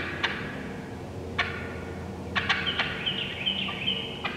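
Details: Wild turkey hen calls from the woods: a few isolated sharp clucks, then clustered cutts leading into a high, rasping series of yelps toward the end.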